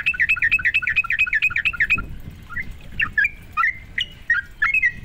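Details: Sooty-headed bulbul song used to provoke rival sooty-headed bulbuls: a fast run of bubbly, repeated chirps for two seconds, then a slower series of liquid, rising and falling whistled notes.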